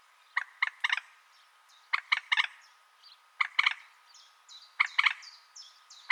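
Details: Common moorhen calling with clipped, harsh, rattling notes delivered in short clusters about a second apart, over faint thin downslurred whistles in the background.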